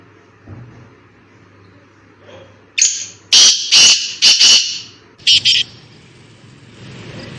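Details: Black francolin calling in a forest: a burst of loud, harsh, rasping notes, first a longer note and then several quick grating ones, ending in a short pair, with quiet background before and after.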